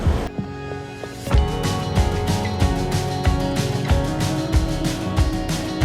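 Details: Background music with steady beats and sustained instrumental tones fills the whole stretch, and no animal sound is heard.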